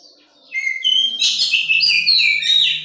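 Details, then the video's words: Oriental magpie-robin, a young bird in care being tamed, pouring out one continuous phrase of loud, varied, sliding whistles and chirps, with a faint low hum underneath. "Seting rawatan Kacer giras agar jinak dan bunyi"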